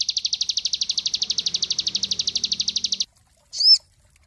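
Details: Cinereous tit song used as master song for training songbirds: a fast, even trill of high buzzy notes, about ten per second for three seconds, then a pause and one sharp high chirp.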